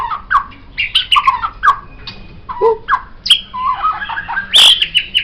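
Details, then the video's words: White-rumped shama song for training songbirds: a varied medley of mellow low whistles, chattering notes and sharp high accents, with a faint steady tone in the background. "MURAI BATU Ini Sangat Cocok Dijadikan Masteran Burung Kicau"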